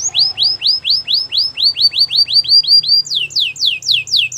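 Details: Belgian singing canary repeating loud, rising-then-falling whistled notes about four per second, shifting midway to a higher series of steeply descending slurs, with a faint low hum behind.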